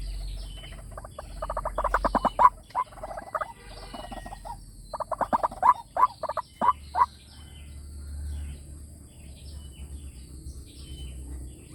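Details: Lure call of a white-breasted waterhen, used through a loudspeaker to attract wild birds: irregular bursts of rapid, harsh nasal notes, some clustered in quick runs, separated by quieter gaps.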